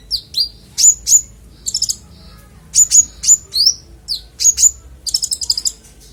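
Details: Konin performing varied, clear song as a model for songbirds: loud high slurred whistles in pairs and triplets, separated by short gaps, ending in a quick chattering run of sharp notes.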